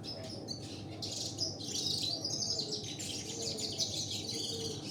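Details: Canary song, mastered with local canary song and featuring red siskin: a dense, fast run of high twittering trills and sweeping chirps that rises and carries on without pause, over a constant low electrical hum.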